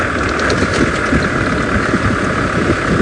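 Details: A vehicle engine idles steadily with broadband rumble and hiss, no animal calls heard.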